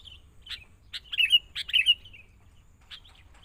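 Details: Young wild-caught sooty-headed bulbul, caged and being trained beside a lure bird: short whistled notes, sharp dry clicks, then two quick liquid warbled phrases in the middle, fading to a few soft notes.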